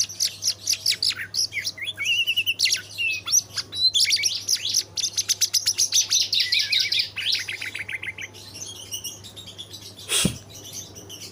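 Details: Caged young white-rumped shama, eight months old, pouring out a fast, dense stream of chattering notes, whistled slurs and buzzy trills for about eight seconds, then falling quieter before a single sharp knock.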